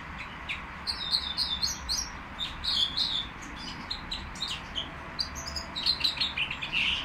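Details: Nightingale song from the Qrayaa bird market: thin high chirps and short whistled phrases in uneven bursts, busiest at the start and close, with a soft continuous low hum underneath.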